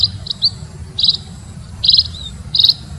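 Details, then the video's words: A few sharp, high munia chirps in short clusters, heard in a lure recording over a low continuous rumble. "Suar pikat burung EMPRIT ampuh"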